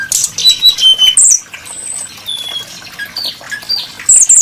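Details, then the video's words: Varied, melodious song of the brown-chested jungle flycatcher, known as SRDC: scattered clear whistles at differing pitches, some long and level, others short and sliding, spaced irregularly with soft background twitters. "Burung srdc menarik Hati pendengar nya"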